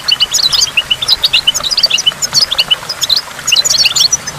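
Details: Goldfinch song at a waterfall, used to stimulate goldfinches: quick, bright twitters and tinkling chirps come in clusters, high and lively, with falling water faintly behind.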